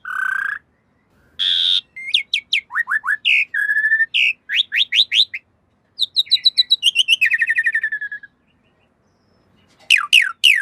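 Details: Black-winged myna training song for cage birds: low whistle, harsh burst, then long runs of rapid slurred chirps and trills, a pause, and final descending whistles.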